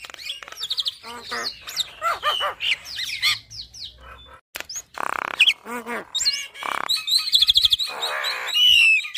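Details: Javan myna pouring out a full, varied song for training caged birds. Dense jumble of squeaky whistles, harsh chatters and grating notes, with a high trilled whistle near the end.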